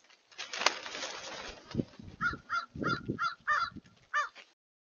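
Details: Crows in large numbers, 31 January 2023: background rumble and noise, then a string of short harsh caws, several overlapping, ending with one louder caw.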